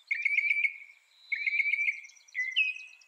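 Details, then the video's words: Mockingbird singing three short phrases of quick trilled, slightly buzzy notes, each phrase about a second long, the last stepping higher in pitch. "Mocking Bird sound"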